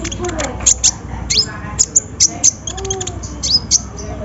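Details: Sunbird singing as a lure for quiet birds: piercing high chips mixed with quick rising slurred notes, delivered in irregular clusters over a soft background murmur.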